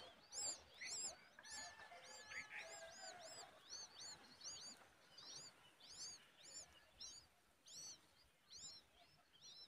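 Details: Common babbler adult feeding a hungry young bird a worm; fainter high arched chirps repeat in loose runs, and a brief harsh buzzy sound appears near the start.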